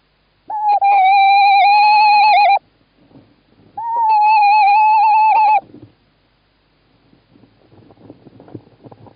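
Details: Male tawny owl in Estonia on 11 March 2017, calling while the female sits in the nestbox: two long, steady, mid-pitched hoots of about two seconds each, slightly wavering at the end, then faint rustling.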